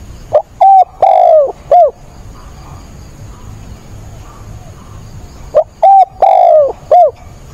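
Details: Spotted dove kept as a decoy, calling vigorously in stormy rain on 28 October to stir up wild doves; two low phrases of four notes, with a drawn-out sliding coo in the middle, separated by a quiet gap.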